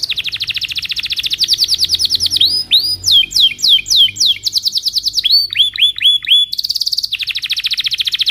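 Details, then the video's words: A singing canary in the morning, used as a lure for young canaries learning song, gives a fast, unbroken run of high trills, each phrase repeating one bright note many times before switching to a lower or swooping one. "Kenari gacor Cuit cuit NGEROL di pagi hari"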